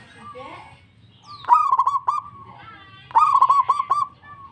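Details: Zebra dove of local stock, singing actively and answering another bird: two phrases, each opening with a sharp rising note, then a rolling, throaty cooing trill broken by quick stutters. A softer warbling sound comes first.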